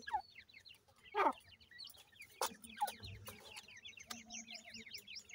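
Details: Feeding francolin chicks produce lively, high, rising chirps. The calling grows denser toward the end, with a few loud knocks and rustles mixed in.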